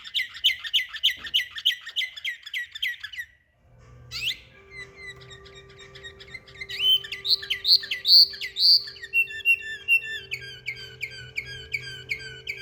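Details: Samarkand canary: a regular tour of repeated chirps, a brief break, then varied song with loud rising whistles and another fast rhythmic tour, over a steady low electrical hum.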